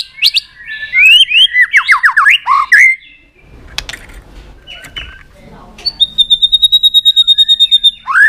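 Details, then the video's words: Excited White-rumped shama opens with a busy jumble of slurred whistles and chatter. After a pause filled with faint rustling and a long thin whistle, it gives a rapid, even series of sharp clipped notes. "chòe lửa đập tạch cực sung"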